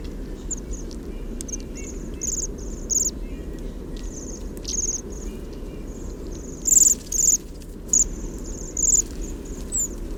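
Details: A flock of Bohemian waxwings, resting with thrushes after eating rowan berries and recorded up close with a parabolic microphone, gives high, thin, sibilant trills in short bursts every second or so, with fainter low squeaky notes between, over a low steady rumble.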